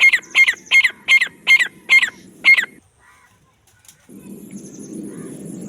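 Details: Black francolin giving a regular series of seven harsh, buzzy notes about every third of a second, then silence followed by a low background rumble.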